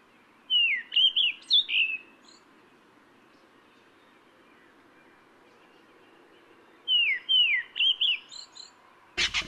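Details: Kurrichane thrush in Kruger National Park: two bursts of clear, downslurred whistled notes, four or five per burst, separated by a long quiet pause, ending with a sharp click.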